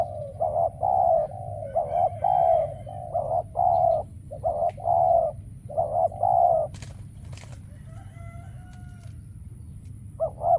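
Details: Spotted dove used as a trapping decoy, calling to attract rare wild doves that never show up. Mellow low cooing phrases repeat for several seconds, then a pause with a couple of clicks and faint chirps before the coos resume.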